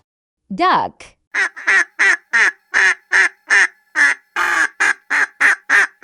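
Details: Farm duck quacking in a steady series of about fifteen harsh, nasal quacks roughly every third of a second, no other sounds.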